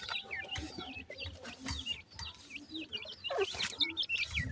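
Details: Teetar (francolin) chicks with their mother after feeding, fighting her. Rapid, high, V-shaped peeps repeat about two or three times a second in a dense overlapping chatter, with low rustling beneath.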